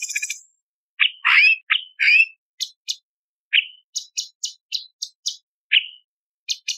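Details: Light-vented bulbul singing a varied fill recording meant to train other songbirds: rough, harsh chattering notes and upslurred whistles, followed by a string of short high sharp ticks at uneven intervals. Clean recording.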